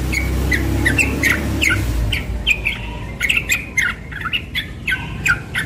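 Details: Young yellow-vented bulbul singing ropel morning song, quick bubbling notes about three per second, partly masked by a low rumbling noise during the first two seconds, with scattered clicking ticks.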